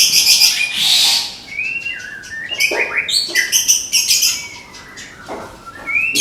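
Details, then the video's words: Caged Medan white-rumped shama in 'tembakan' song: a loud high buzzy burst, then rapid clicks, short rising whistles and chattering notes in quick succession, ending in a high rising whistle. "SUARA TEMBAKAN MURAI MEDAN"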